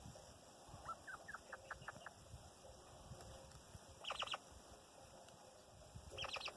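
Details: Chukar partridge hen with her chicks: a quick run of thin, rising peeps, then two brief clusters of higher, sharper chirps later on, over a steady background hiss.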